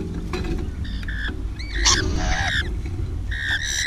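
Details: Rainbow lorikeet calling while feeding: short harmonic squawks and rising chirps scattered through the clip, with a steady low rumble of background noise underneath.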